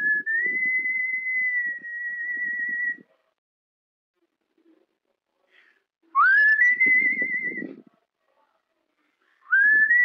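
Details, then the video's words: Trained cockatiel imitating the whistled melody of Wind of Change by Scorpions. Long, steady, pure whistled notes last two to three seconds each, with quiet gaps between them. Each phrase opens with an upward slide. Faint low rustling accompanies the notes. "Cockatiel singing the whistle of the song Wind of Change by Scorpions"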